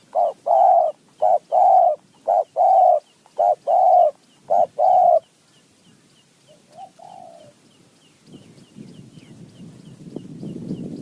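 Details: Wild spotted dove responding to a decoy in high mountain forest. It delivers a rhythmic run of about five short-long coo pairs, roughly one per second, then a faint distant coo, followed by rising rustling noise.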